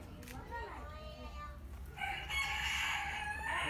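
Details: Peacock holding its tail fan spread in a long display gives a loud, harsh, nasal wail lasting well over a second, after a stretch of quiet voices from people nearby.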